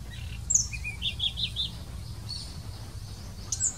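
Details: A blue-throated flycatcher, noted with the notch-throated form, sings in India: a short run of clear, sweet, high whistled notes, four evenly spaced, followed by thin high chips, over a low background rumble.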